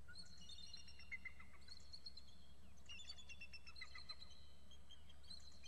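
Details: Pair of eagles calling excitedly at the nest, with a juvenile perched on a nearby fir: rapid, overlapping high chittering notes in bursts, thin and whistled, over constant low background hum.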